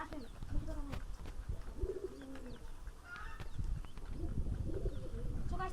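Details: Pigeon cooing, heard while showing how to tell male from female birds: several short, low, throaty coo phrases spread through the clip, with faint clicks and background noise.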